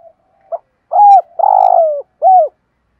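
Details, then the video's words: Loud, close cooing from a decoy spotted dove luring wild doves with its full calling routine: a soft lead-in note, then a bent coo, a long buzzy drawn-out coo and a final arched coo, all low-pitched. "tieng chim cu gay tap bổi/ chim cu gáy mồi THÚC GÙ = GÁY GỌI + BÀI BẢN. bổi nghe rất ức chế"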